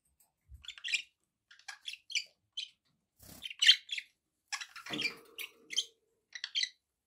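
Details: Pet budgerigars utter short, bright chirps spaced every half second or so, mixed with a few soft squeaky notes and a faint low knock.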